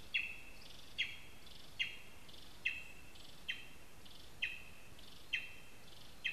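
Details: At a spruce nest in Zemgale, Latvia, a lesser spotted eagle calls in a long, fairly even series of high, sharp yelps, roughly one per second. Buzzy notes sit between the yelps, and a noticeable low hiss runs underneath.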